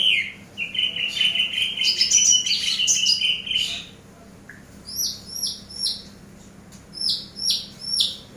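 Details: Eurasian tree sparrow voice used as a training master for cage birds: a busy, buzzy chatter for four seconds, then a paired series of clear, high, downslurred chirps repeated about every half second.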